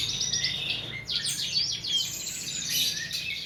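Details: Tutor song for training cage birds: high, thin chirps and fast descending trilled sweeps, with a sharp whistled note, over quiet background noise.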